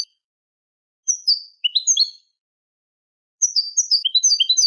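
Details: Eurasian goldfinch tutor song of the Manolo style for young goldfinches and hybrids: scattered high chirps and twittering slurs, then a quick run of bright repeated notes, no other sounds.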